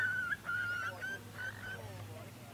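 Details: Eastern curlew on the shore at Port Hacking, among birds preparing for migration: three or four short whistled notes with upturned ends, fading after the first second into soft, fainter sounds and a steady low hum.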